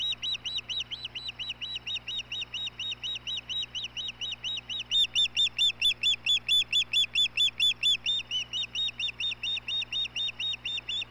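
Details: Osprey at the Hellgate nest in Montana, filmed by nest camera on 17 May 2016 as the male brings dinner to the female: a long, steady series of high, sharp whistled chirps, about two per second, louder from midway, over a low hum.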